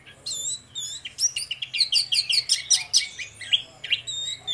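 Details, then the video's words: Two orange-headed thrushes, a pair singing loudly in the morning as a lure to prompt another bird to sing: a busy run of high, sharp, repeated whistled notes about a second apart, with chattering trills above. "DUO ANIS MERAH NGEPLONG GACOR, PANCINGAN ANIS MERAH BIAR BUNYI"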